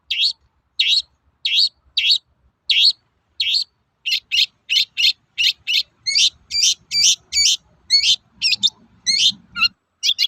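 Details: Long-tailed shrike giving its toet-toet call, used to provoke untrained shrikes into singing quickly: a steady run of short, harsh, high notes about twice a second, which shifts after six seconds into quicker, varied rasping and sweeping notes.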